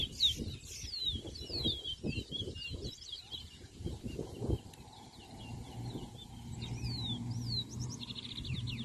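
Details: Towa towa (seed finch) singing in a bird race singing competition at Anna Regina park, Essequibo, Guyana: quick high warbled phrases of sliding whistled notes, repeated, over a man counting numbers aloud and low outdoor crowd noise.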